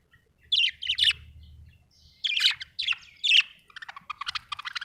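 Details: Budgie chirping happily, with sharp, scratchy high calls in pairs separated by short pauses, ending in a quick series of softer clicking chirps.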